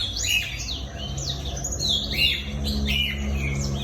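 A black-throated canary sings a fast, bright warble of high whistled notes and sweeping rising-and-falling phrases, over a low background hum.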